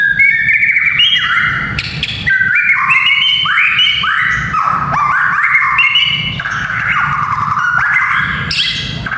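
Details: White-rumped shama song, played to toughen young fighter males: a busy stream of swooping, bending whistles and crackling notes, about four phrases a second, varied in pitch, with low background hum.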